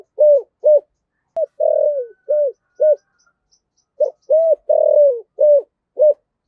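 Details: Cooing of a decoy spotted dove of the 'thổ' voice type: steady low hollow notes, mostly short and arched, with two longer sliding coos, about two notes per second in a near-continuous run.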